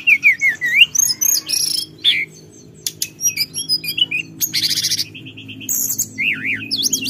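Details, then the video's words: Mountain forktail (tledekan gunung) call used to stir up rivals: busy mix of sharp squeaky whistles, buzzy harsh bursts and zigzag notes, with a rapid stuttering trill and a low hum underneath. "suara tledekan gunung memancing emosi lawan"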